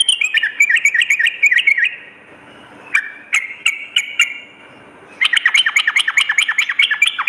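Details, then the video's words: Sooty-headed bulbul at night: a fast run of ringing notes, a pause with a few isolated sharp chips, then another dense burst of quick downslurred notes. "terapi trucukan dimalam hari"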